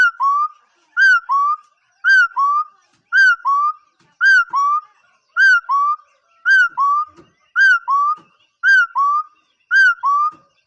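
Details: Long steady run of a bird's two-note whistled call, a high dropping note then a lower flat one, repeated evenly about once a second ten times; faint low taps in the background.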